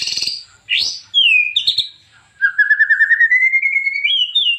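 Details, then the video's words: White-rumped shama song for training other birds: a few scattered sweeping whistles and clicks, then a long rapid trill of repeated notes rising slowly in pitch over about two seconds. "KOMPILASI MURAI BATU - KUMPULAN BEBERAPA SUARA OCEHAN BURUNG MURAI BATU GACOR UNTUK MASTERAN MURAI"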